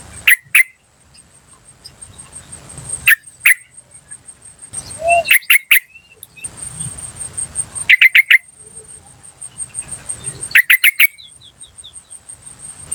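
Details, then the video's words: Wild yellow-vented bulbul calls meant to draw in bulbuls: bursts of two to four hard 'cuk' chips repeated every few seconds, with occasional softer notes and a constant high-pitched insect whine. "PANCINGAN TRUCUKAN BAHAN Asli Suara Alam Liar CUK CUK CUK memanggil"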